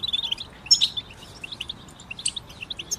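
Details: Goldfinch group song for birds in moult; a short run of high chirping notes with two brief bright buzzy bursts, thin twitters between them.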